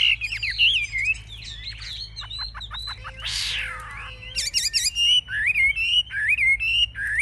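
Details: Chinese hwamei in a cage, a fierce fighting bird, performing with raised wings and fanned tail; varied loud whistles, rapid clicking bursts and a harsh downward rasp, followed by ringing whistled phrases in quick succession.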